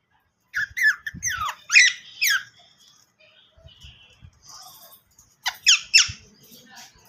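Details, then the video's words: Pet parrot attempting to talk with its owner at home, giving bright squeaky rising and falling syllables in two bursts, loud chattering notes separated by a quieter pause with soft murmurs. "my parrot try to talking with me"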